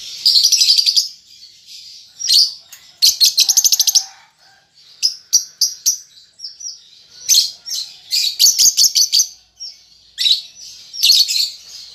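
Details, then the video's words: A young lovebird practising its chatter pours out bursts of fast, high, ticking trills and harsh buzzy chirps, separated by brief pauses, some runs stuttering like rapid typing. "Lovebird Paud Baby Balibu Muda Belajar Ngetik Ngekek"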